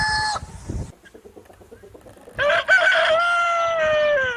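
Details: Free-range farm rooster crowing. A brief loud burst opens, a soft low murmur follows, then a long sustained crow that holds steady and slowly sinks in pitch toward its end.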